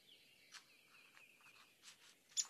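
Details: White-eyed vireo (Vireo griseus), song.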